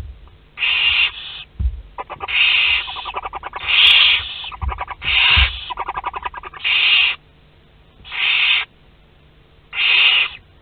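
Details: Western barn owls in a nest box at Théding, second brood, during hatching of chicks two to six of ten on 22 August 2021. Harsh hissing screeches, about half a second each, repeat roughly every one to two seconds, with rapid ticking clicks between.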